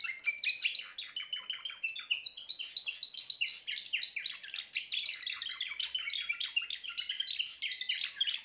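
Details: Timbrado canary in full song, an unbroken stream of rapid, rolling, chattering syllables at high pitch, varying slightly in tempo and tone, with nothing else audible.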